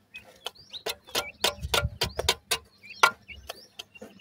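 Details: Grey francolin chicks with scattered thin rising peeps between a run of sharp tapping clicks and low thumps, a soft hum in the background.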